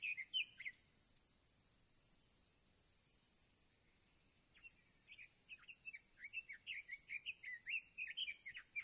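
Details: About 200 house swifts breed together on rooftop eaves of a Surugadai building in central Tokyo, present for many years. A few sharp chirps open, then after a pause a rapid twittering chatter builds and continues, over a constant high hiss.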